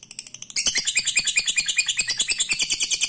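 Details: Lovebird ngekek, a long trill meant to set rivals off. A few separate chirps come first, then a dense, high, buzzy chatter starts suddenly and keeps on at a fast, steady pulse.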